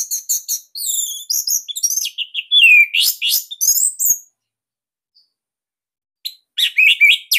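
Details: Bali-type Orange-headed thrush in captivity, its loud, compact song serving as training material for other birds: a long, dense stream of rapid high chirps, trills and slurred whistles, a pause, then another quick burst.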